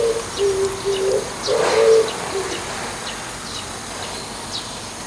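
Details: An Oriental turtle dove calling in the morning from atop an antenna gives a run of low, hollow coos, about five notes in two seconds, while faint high chirps from other birds sound in the background.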